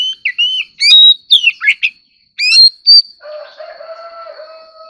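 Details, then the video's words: White-rumped shama singing competitively: quick rolling and sliding whistled phrases during the first three seconds, then a low sustained droning tone takes over. "choè than kích hót || choè than hót đấu"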